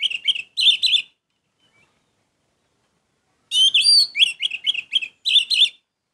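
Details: Orange-headed thrush giving two short bursts of loud, sharp chirps, falling silent for over two seconds, then resuming with a brisk, varied phrase of whistled and chirped notes.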